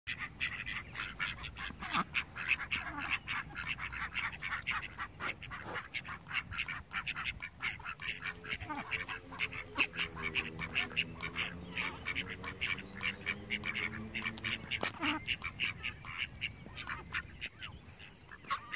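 Domestic ducks calling, with a drawn-out nasal call among dense clicking and dabbling noise.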